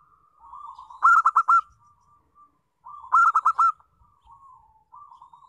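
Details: Local zebra dove singing as a lure to draw song from other doves. Twice, gentle cooing swells into a loud, stuttered run of five pulses, separated by quiet pauses.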